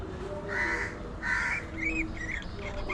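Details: Budgerigar chatter: two rough, scratchy squawks, then quick warbled, bending notes that rise and fall, with a constant low hum underneath.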